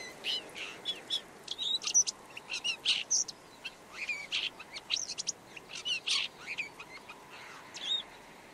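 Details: Red-backed shrike song, a long run of rapid, varied scratchy chirps and squeaky high notes, delivered in quick bursts over about eight seconds against a faint background hiss.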